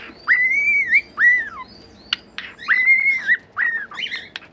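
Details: Cockatiel singing long, arched whistles that rise and then fall, several in a row, with a few short sharp clicks between them.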